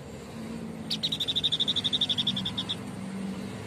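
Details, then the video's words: White-breasted babbler, locally called burung sniper, singing actively: a fast, even trill of about twenty high whistled notes lasting under two seconds, over a low steady background hum. "Tembakan burung sniper atau Tepus dada putih gacor"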